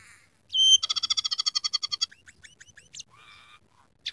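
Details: Scaly-breasted munia, caged song bird, singing among other imitated songs: a long run of rapid, evenly spaced buzzy chirps near two seconds, then scattered thin high notes and a short grating rattle.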